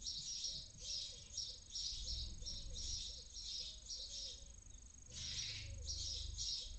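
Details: Early-morning barn owl chick in a nest in Cabañeros National Park, Spain, falling asleep; harsh hissing bursts pulse steadily in a series, with a faint repeated lower tonal pattern and low background hum beneath.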